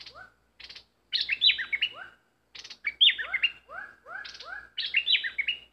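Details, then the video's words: Bulbul kept as a caged decoy for luring wild birds, in full song: bursts of scratchy notes followed by clusters of liquid, down-slurred whistles, with a few brief pauses between phrases. "Burung merbah lekir bay hoach thom gacor bahanan"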